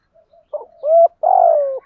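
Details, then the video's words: Spotted dove lure recording, from a set of male and female calls in the thúc gù and gáy gọi styles, used to stir captive doves to coo. A short soft lead-in, then two loud, low, hollow coos, the second longer and falling. "Tiếng chim cu gáy mồi giọng lôi cuốn hấp dẫn đủ bài[ THÚC GÙ , GÁY GỌI ]"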